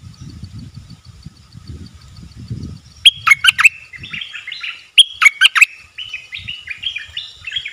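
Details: Amid low rumbling background noise, a wild bulbul that keeps away from the cage, probably feeding chicks in its nest, sings two crisp chattering phrases, each trailing into a series of descending warbled notes.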